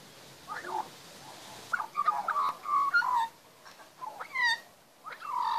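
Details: Magpie song in a backyard where young are being fed. Gliding whistled notes rise and fall, some in quick runs of warbled syllables, separated by quiet gaps.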